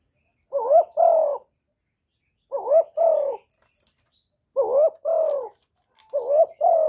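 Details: Spotted dove kept for luring other birds, repeating a paired coo about every two seconds, four times: a rising note then a fuller falling coo, mellow and low, with a few faint clicks between.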